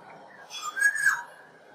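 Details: Black-naped oriole (Oriolus chinensis) giving a short, fluty whistled phrase that rises and then dips, lasting under a second.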